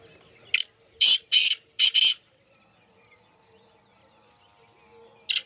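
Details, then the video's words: Partridge calling, a series of loud harsh broadband notes, two quick pairs then a lone note after a long pause, over a faint steady background hum. "muskie teetar ki awaaz"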